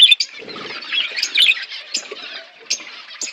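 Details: Flock of budgies while eating: quieter, scattered high chirps and soft warbling, with occasional brief sharp notes and gaps between them.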